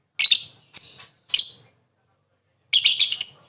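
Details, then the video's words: Lovebird calls: three short, scratchy high chirps in quick succession, a silent gap of over a second, then a longer run of harsh chattering notes. "Masteran Burung lovebird Ngekek"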